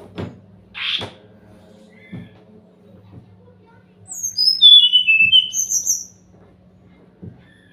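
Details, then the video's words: Brown-chested jungle flycatcher lure song for getting quiet birds to reply: several soft thumps and a short squawk, then a descending run of high, clear whistled notes, with a higher trill above. "pancingan SRDC yang gak mau bunyi pasti nyahut"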